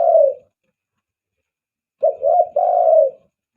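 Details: Spotted dove lure call used to attract doves: a low, hollow coo, then a three-part phrase of two short notes and a longer drawn-out coo, with silence between.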